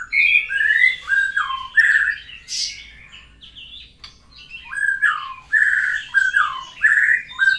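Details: After its moult, a white-rumped shama practises new sounds: loud, mellow whistled phrases sliding down and up, interspersed with a harsh squawky burst and chattering notes, repeated in varied sequences.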